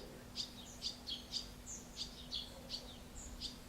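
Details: Barn swallow chick in Alzira, Valencia, late June 2016, begging as its parent pair feeds it: high, thin chirps about twice a second over a faint steady low hum.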